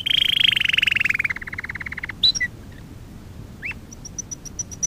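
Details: Canary song from a training lesson for young canaries: a fast buzzy trill sliding gently downward, slowing into a rattle, then scattered sharp upslurred notes and a run of bright high pips.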